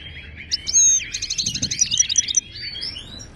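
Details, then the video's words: Moroccan goldfinch, a wild-type Ouidani singer used as a teaching model for caged birds. A long sweeping whistle opens into quick bell-like twittered notes, then softer rising slurs. "هل عصفورك صامت قدم هذا التغريد له وشوف كيف يتفاعل معه"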